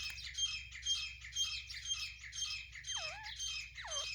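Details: Female grey francolin from Pakistan calling non-stop: harsh, high squawking notes repeated about twice a second in a steady rhythm. Two slurred notes that drop sharply in pitch come near the end, over a low background hum.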